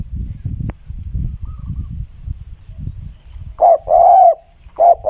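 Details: Low rumbling and scuffling noise for the first three and a half seconds, then a spotted dove's cooing: a short coo, a long wavering coo and the start of another.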